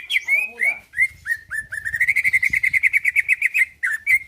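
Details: Greater green leafbird (cucak ijo) singing hard to provoke rival birds. A few scattered slurred whistles lead into a fast, even trill of rising chirps, over faint low background rumble.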